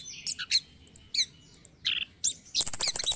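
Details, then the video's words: Orange-headed thrush morning lure song, used to coax caged birds into singing: short bright whistled phrases and buzzy high notes, ending in a rapid scratchy chattering burst. "PANCINGAN ANIS KEMBANG DI PAGI HARI"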